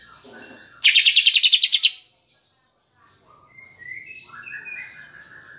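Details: Greater green leafbird lure song, mixed with Kapas Tembak filler phrases, used to make a caged bird emotional and singing: a loud one-second burst of about ten rapid high chirps, then softer varied whistled slurs rising and falling.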